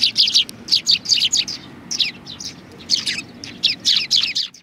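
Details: A group of sparrows sits on a bench at a Tenmangu shrine, January 30, 2020. Short, high chirps come in quick clusters of two to four, separated by brief pauses, over a faint low background hum.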